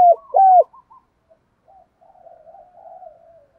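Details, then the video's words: A spotted dove calling to urge trained decoy birds into combat. Two strong low coos open, the second drawn out and falling, then faint scattered softer cooing from other doves trails away. "tieng chim cu gay kich boi, luyện mồi hiệu quả[ tiếng gáy gọi và thúc đấu rút bổi gây ức chế ]"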